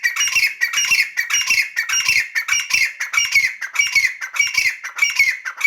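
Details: Grey francolin, said to be a female, calling in a loud, harsh run of squawking notes repeated rapidly, about one and a half per second, each burst rasping and high.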